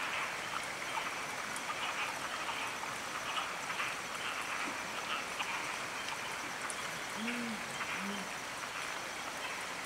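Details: Two or three short, deep, slightly arched hoots from a Tawny fish owl near the end, one of a pair duetting by a stream in Taiwan, nearly drowned by the steady roar of rushing water.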